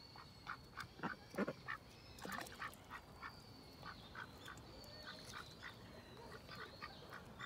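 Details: Domestic duck quacking in a quick, uneven series of short nasal notes, some louder and closer, over a faint background with high chirps of small birds.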